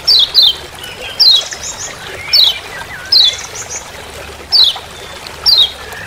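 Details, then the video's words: Forest "ciak ciak" call of the Lemon-bellied white-eye from Lombok: doubled then single high chips dropping in pitch, about one per second, with faint twitters between and constant background hiss. "Masteran Kecial Kuning Ciak Ciak Di HUTAN"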